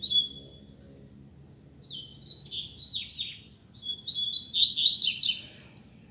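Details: Coleiro in a song contest: a short chirp, a pause, then a long stream of fast buzzy high notes that grows louder and denser toward the end over a faint low hum.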